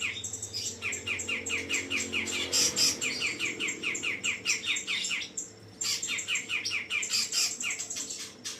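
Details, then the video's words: Cucak jenggot, the grey-cheeked bulbul, in lively song: rapid repeated chirps in bursts, a brief pause near the middle, then the chattering resumes, over a low steady hum. "Cucak jenggot"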